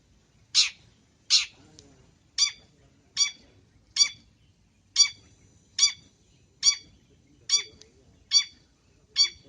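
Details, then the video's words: Long-tailed shrike in a training recording full of fill phrases in an active singing state: sharp, harsh, broadband notes repeated steadily about every 0.8 seconds, over a quiet background. "MASTERAN BURUNG CENDET FULL ISIAN GACOR"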